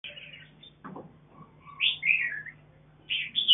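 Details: Mutant mountain Red-whiskered bulbul raising chicks on a farm, giving short, bright, warbling chirps in three bursts, with a low steady hum and a soft thump in the background.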